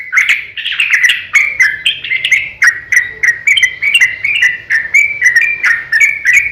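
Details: Sooty-headed bulbul delivering a long, fast fighting song used to lure other bulbuls into answering: an unbroken bubbly chain of rising and falling warbled notes.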